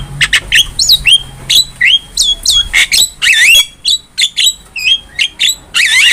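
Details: Energetic Javan myna song recorded as a master for training cage birds: clicking chatter followed by a run of high, curling whistles and nasal squawks, repeated in short bursts through the passage.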